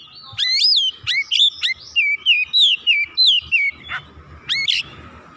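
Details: Agitated oriental magpie-robin unloading its repertoire in a steady stream: around a dozen strong whistled phrases, mostly falling slurs with some upswept notes, delivered about two per second with brief gaps between them.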